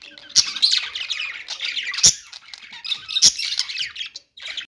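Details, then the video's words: Budgie sounds: dense scratchy chirping and squawky warbling, with three loud sharp clicks spaced through the clip and a short pause near the end. "budgies singing | budgie sounds | parakeet chirping sounds"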